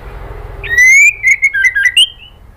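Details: Female white-rumped shama giving a kretekan call to a male, used as a lure: after low background noise, a clear rising whistle glides upward, then five short level whistled notes follow quickly, ending on a higher note.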